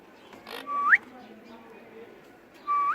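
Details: A pet ringneck parakeet gives two clear whistled notes, each held level and then sweeping sharply upward, about two seconds apart, with a brief rasp before the first.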